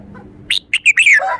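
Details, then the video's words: Red-whiskered bulbul giving one bright, emphatic song phrase: a few sharp separate whistles building into a slurred, warbling note that falls away at the end, heard clearly against a quiet background. "นกกรงหัวจุก 739 จ้าวคำหมาน สดใส ชัดเจน เน้นทุกดอก"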